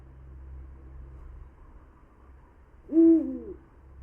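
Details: Eurasian eagle-owl (Bubo bubo), hoot.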